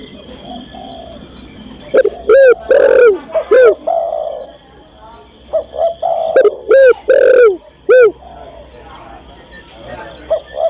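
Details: Female spotted dove calling a male, with repeated bursts of rough, arched coos in two clusters of several notes each. Softer coos fill the gaps between them.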